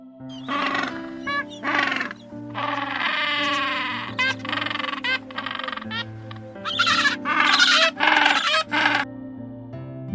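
A penguin gives loud, harsh, braying calls in repeated bursts over background music.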